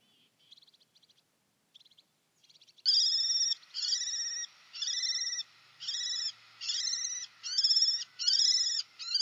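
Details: Common kestrel calling, a few faint ticking notes, then loud harsh, strongly harmonic bursts of rapid repeated notes, each burst lasting about half a second and coming roughly every second, in otherwise quiet surroundings.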